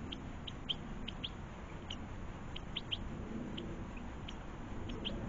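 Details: European goldfinches, adults with young, feeding in a garden: frequent short, high, thin tinkling call notes scattered irregularly, about three per second at times, over a steady low background hum.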